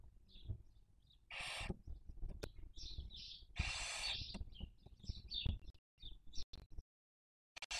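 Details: Breeding barn owls filmed by nest webcam in Cabañeros National Park, Castilla-La Mancha, Spain, in the 2023 season; two loud breathy hisses amid brief high twittering notes, then near silence.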